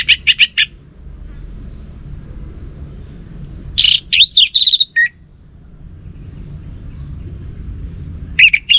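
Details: Orange-headed thrush, a kept bird from northern Bali, sings short bursts of scratchy chirps and varied twisting whistles, spaced by several seconds of near silence with faint low hum.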